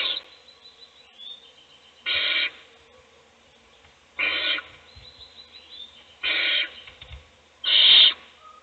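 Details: Owl in a nest box feeding one chick while the other chicks sleep; four harsh, breathy hissing bursts, each about half a second, come at roughly two-second intervals over a quiet background.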